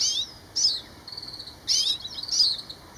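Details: Grey-capped greenfinch calls: two loud buzzy twittering bursts with short chirps and a thin sustained note between them.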